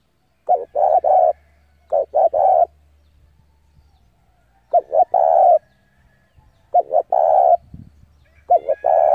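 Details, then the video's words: Spotted dove used as a decoy, calling rivals to come and fight, repeats its three-part coo about five times: two short hollow notes, then a held, even note. "tiếng chim cu gáy gọi bổi về cội để đấu của con chim cu gáy mồi giọng gáy hay cực chuẩn kích bổi"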